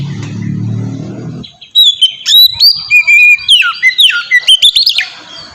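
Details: Oriental magpie-robin singing a sweet 'ngeplong' song used as a lure to prompt other magpie-robins to sing; low rumbling noise at first, then a fast run of bright whistled notes, slurs and chips.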